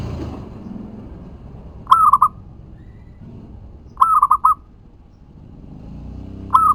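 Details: Local perkutut, a zebra dove, in vigorous song used as a lure to make others answer: three phrases of stuttered, rolling coos about two seconds apart, with faint low background rumble at the start.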